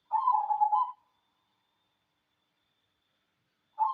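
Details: ['Manggung song of a local wild-type cemani zebra dove: one quick run of soft stuttering coos lasting about a second, then a long pause before the next phrase begins at the end.']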